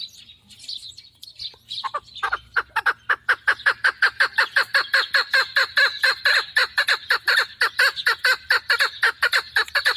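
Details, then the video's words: Female hunting chukar partridge: a few scattered opening notes lead into a long, even, rapid series of hoarse chuk calls, roughly four to five a second, sustained for several seconds. "Модкабки шикори - Keklik - الحجل الطائر"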